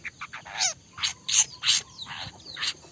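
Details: Long-tailed shrike in 'trotol' song, giving harsh, raspy, broadband notes about every half second, mixed with short higher chirps.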